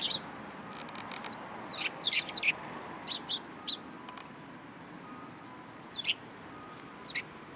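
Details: Sparrows gathering in a shrine cherry tree on 22 March 2023: a cluster of busy high chirps early on, then sparser single chirps every second or so over soft background hiss.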